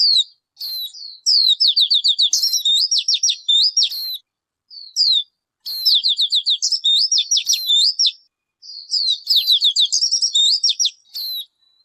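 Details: A bird sings three similar bursts, each a few clipped chirps leading into a rapid cascade of high, falling trilled notes. Gaps are silent.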